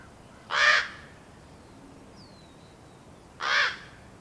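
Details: Young common raven, a recently fledged chick growing impatient while waiting for its parents to bring food, giving two hoarse, grating caws about three seconds apart; a faint high whistled note from another bird sounds in the gap.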